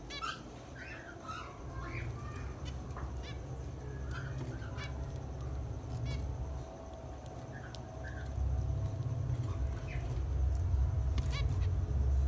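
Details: Male and female zebra finches giving short nasal, honking calls scattered irregularly through the recording, several in quick bursts, over a steady low hum.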